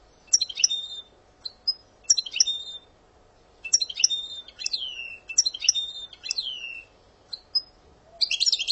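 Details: European goldfinch in Algeria giving the song's opening section and passade phrases: short bursts of high twittering notes with downward-sweeping whistles, separated by brief pauses, ending in a dense buzzy flourish; a faint steady hum sits underneath.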